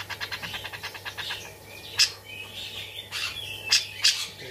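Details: Tame caged brown-cheeked bulbul (cucak jenggot), singing actively, its song filled with sparrow-like grejaan chatter: a quick run of dry, evenly spaced chirps, then a few sharp, harsh notes and a buzzy rising phrase, over a faint low hum.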